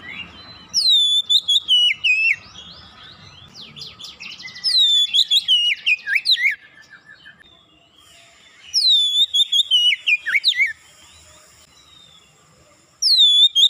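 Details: Oriental magpie-robin singing rapidly; three loud bursts of whistled, swooping notes mixed with short buzzy trills, each burst about two seconds, separated by quieter gaps.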